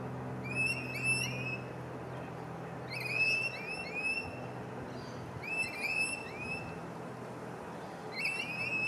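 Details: Two rainbow lorikeets courting in a palm tree give shrill, screechy chattering bursts about every two to three seconds, each a quick run of sharp rasping notes, over a low steady hum.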